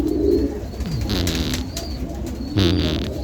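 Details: A sick domestic pigeon with cough and flu, just given medicine, gives low, throaty coos broken by raspy, wheezing bursts of breath, twice in a few seconds, against a quiet indoor hum.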